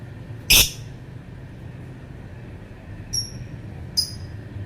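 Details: Lovebird giving one loud, harsh, high squawk, followed by two faint, short, thin chirps over a low background hum.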